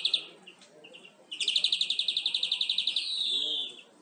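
European greenfinch singing a fast, even trill of about twenty bright chirps, then a long wheezy, buzzing note. Soft twitters come before it.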